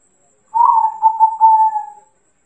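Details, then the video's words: Single phrase from a local zebra dove, used as a lure so other doves respond: mellow fluty cooing, broken into three or four pulses, finishing with a smooth sustained whistle that fades out. "masteran burung perkutut lokal gacor dor dijamin ampuh"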